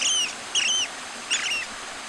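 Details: Long-tailed broadbill (Psarisomus dalhousiae), call.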